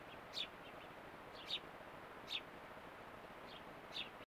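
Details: A fledgling house sparrow exploring a backyard garden in Calgary, Alberta, Canada, gives five short, high chirps at uneven intervals over a steady background hiss.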